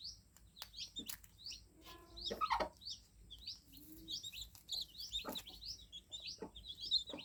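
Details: Several young, newly hatched chicks peep continuously with bright, high, sliding notes, about two or three each second. Soft tapping and knocking sounds come in between.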